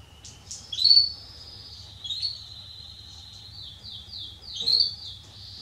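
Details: Male Belgian canary heard more softly and farther off, singing long sustained high trills with a few louder sharp accents and a run of quick repeated notes, over a low background hum.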